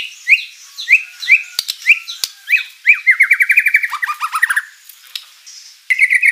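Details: Energetic white-rumped shama song rich in filler phrases, meant to draw replies from rival birds: repeated sharp upslurred chirps, then a rapid trilled series of notes stepping downward, a short pause and a fresh burst.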